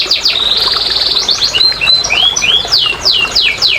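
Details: Short burst of canary song used to stimulate lazy canaries: a fine rolling trill, thin high whistles and upward slurs, then rapid falling notes.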